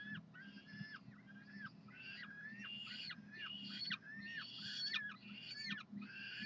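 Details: Peregrine falcons at the University of Calgary begging loudly for food on a Saturday morning in June 2012: rapid, choppy, rasping screams, about one every second, overlapping slightly, against a droning background hum.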